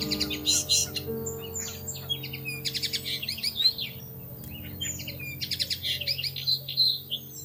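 Weaver birds chatter in busy bursts of high, scratchy, buzzy notes, several rattling phrases over a few seconds, over a steady low hum.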